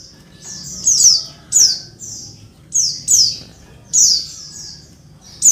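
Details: Noisy female Oriental white-eye calling to make males sing fast, as in the wild; high downslurred squeaks in pairs and triplets, bursts spaced about a second apart.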